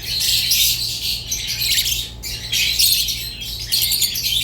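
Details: Rosy-faced and Fischer's lovebirds twitter in bursts of harsh squawks and thin whistled notes, with brief lulls near one and a quarter, two and three and a half seconds.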